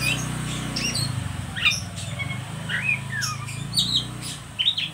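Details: Oriental magpie-robin giving a ngeriwik call, used as a lure to stimulate young birds to sing: short, varied whistled chirps and quick rising and falling slurs at scattered intervals, over a steady low hum throughout.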